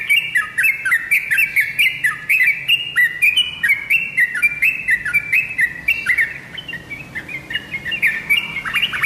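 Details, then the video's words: Lively, unbroken song of a tame yellow-vented bulbul, bubbling whistled notes stacked in rapid overlapping runs, rising and dipping repeatedly across nine seconds. "Burung trucuk jinak gacorrrrr dorrrrrr"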